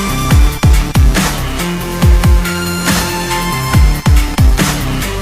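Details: Loud electronic dance music with deep falling bass drops and a pulsing beat, no animal sound standing out.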